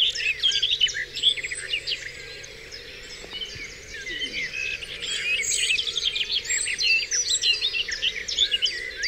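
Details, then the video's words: Dawn chorus on Dewlands Common: many birds singing at once, a dense layer of high chirps, trills and whistles overlapping continuously, with a steady low hum beneath. "Dawn Chorus"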